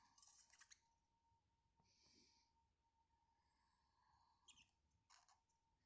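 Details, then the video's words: Pet budgerigars starting their activities on a winter morning give scratchy, high chirps and a short buzzy chatter in a few bursts over a steady faint hum. "Winter morning routine of my buggies for birds lovers/ origanal sound"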